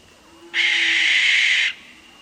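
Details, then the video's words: A single drawn-out barn owl scream at night, harsh and rasping, lasting just over a second, with quiet background before and after. "imagine yourself standing in a quiet field under the moonlight as the scream of the barn owl echoes in the darkness."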